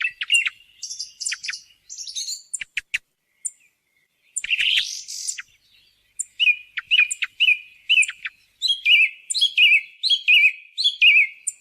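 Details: On a lure recording for hunting, a song thrush mixes squeaky high notes and a rasping burst, then repeats one short whistled phrase many times at a brisk, uneven pace, over a second a beat.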